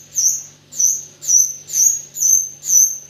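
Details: Singing white-rumped shama, in a recording featuring 'AK47' filler: six clear, very high whistled notes, each sliding slightly downward, repeated evenly about every half second over a faint low hum.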